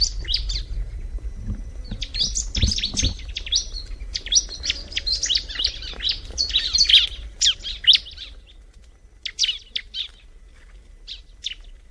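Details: Bar-winged prinia singing rapid bursts of high, sharp chirps and trills, with a busy run of notes from about four to eight seconds and short phrases after; low rumbling background noise early on.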